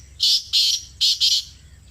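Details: Black francolin (black partridge) calling in Pakistan, recorded up close: four harsh, rasping bursts in two quick pairs, each about a fifth of a second long, over a quiet background.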